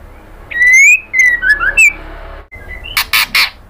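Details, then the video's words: Kretekan calling of a female white-rumped shama luring a male: upslurred whistled notes, a short pause, then three harsh, noisy rasping bursts in quick succession. "KRETEKAN MURAI BATU BETINA bikin BIRAHI jadi EMOSI NYAUT"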